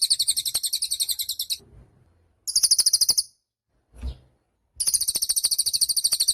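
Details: Cililin bird singing lively, suited as a master song for training songbirds: very high, rapid trilled bursts of sharp repeated notes lasting about one and a half seconds, separated by short pauses, with faint low thumps between.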